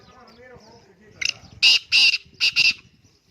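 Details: Black francolin calling: a brief scratchy note, then a loud burst of harsh, grating, broadband notes in two quick pairs over about a second, preceded by faint human talking.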